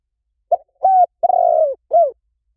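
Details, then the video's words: Spotted dove, played as a decoy to draw other doves in quickly. One clean cooing phrase of four low notes: a short coo, a level hooted note, a long burry rolling coo sliding down, then a short down-curved coo. No background sound. "เสียงนกเขาใหญ่ หมานๆ ต่อเข้าเร็ว ป่าไหนก็เข้า"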